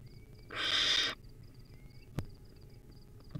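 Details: Wild barn owlet at the nest feeding on a rodent utters a single loud, breathy hiss lasting about half a second, followed by quiet with one sharp click and faint high ticking.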